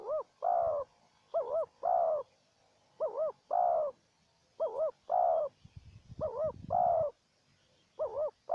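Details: Wild spotted dove calling back and forth with a decoy dove during trapping. Each phrase is a wavering double-peaked coo followed by a longer smooth coo, repeated roughly every one and a half seconds. A low rustle is heard near the middle.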